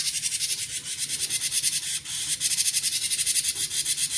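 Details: Rapid, harsh konslet song of a cinereous tit: an unbroken train of buzzing high notes, pulsing evenly with a tiny dip in loudness midway.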